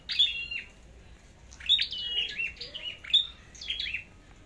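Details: Red-headed flowerpecker in competitive fighting song, checked for form before a trip to the forest: high, sharp chirps with short whistled notes, given in quick bursts over quiet background.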